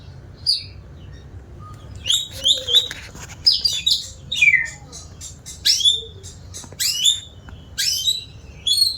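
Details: White-rumped shama, said to sing diligently, delivers a series of sharp, sweeping high whistles and clipped chips, spaced about half a second to a second apart, over steady low background hum.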